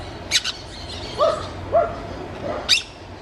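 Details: Wild orange-chinned parakeets: two shrill, scratchy high bursts open the clip, followed by a pair of lower, curved, slurred notes and another sharp screechy burst near the end, over a steady low background hum.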